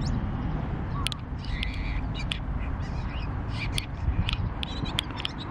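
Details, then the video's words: A male Bull-headed shrike gives its early-spring song, a scratchy, chattering run of short, harsh notes in irregular bursts, over a steady low rumble of wind or distant traffic. "モズ (Bull-headed Shrike ♂Ⅱ) 早春の囀り"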